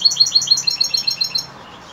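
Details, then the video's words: European goldfinch in the evening, giving one fast phrase of a dozen evenly repeated bright, tinkling notes that fades at the end. "Saka kuşu akşamüstü sefası"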